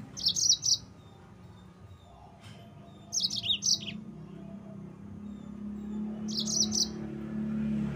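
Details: Yellow-fronted canary singing to rile up rival birds: three short bursts of high, rapid chirped notes about three seconds apart, with a low rumbling background growing louder.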